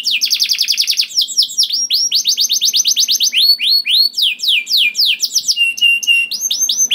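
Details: Gacor canary singing a long rolling song used to prompt other canaries to sing: rapid trains of high downward-sweeping notes, fast trills shifting into slower repeated upslurred whistles, loud and continuous with no other sounds.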